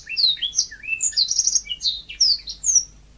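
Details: Lively natural song of a yellow-fronted canary: a quick sequence of high, clear whistled and slurred notes, some rising and some falling, with a brief buzzy trill in the middle.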